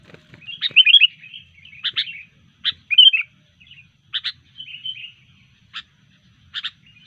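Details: Sooty-headed bulbul singing loudly after being disturbed, in a fighting mood: short bursts of bright chattering notes and sharp clicks, spaced irregularly with brief pauses between phrases.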